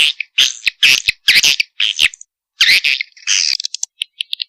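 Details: Swiftlet mating call from a combination lure for drawing swiftlets: harsh, high buzzy chirps in uneven bursts, with brief silent gaps and a few thin, sharp ticks at the close.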